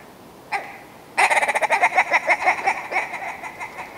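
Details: Willow ptarmigan song: a short nasal note, a pause, then a fast rattling run of harsh clucks that slows and fades toward the end.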